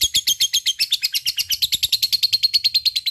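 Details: Lovebird in sustained ngekek, meant to prompt reluctant lovebirds into song; rapid, rhythmic high squeaky chips repeated roughly seven times a second, becoming more tonal and steady in the second half, with faint low thumps beneath.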